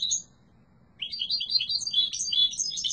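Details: European goldfinch, yellow mutation: a brief high note, a pause, then a dense, fast, warbling and twittering phrase rising in brightness, strong and clear.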